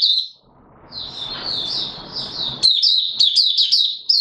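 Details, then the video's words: White-eye, Mata Puteh Raja type, caged and short of full condition, recorded 9 May 2022: a thin high note, a softer warbling stretch over rustling, then fast, sharp chirps in a rapid run. "Mata Puteh Raja V1 buka sing not full condition yet"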